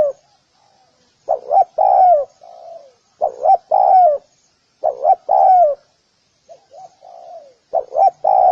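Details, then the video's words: Spotted dove calling steadily. Each phrase has a quick pair of short coos and then a long, husky coo falling away, heard about four times. Softer, fainter cooing phrases come between them against a silent background. "Spotted_Dove_ki_Awaaz | Amazing call sound effect"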